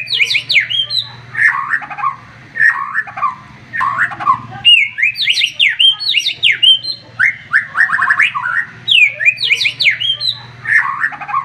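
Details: White-rumped shama with a sharp, agitated voice, singing to provoke a rival into answering. Rich phrases of varied whistles and rapid slurred notes repeat in bursts, over a faint low hum.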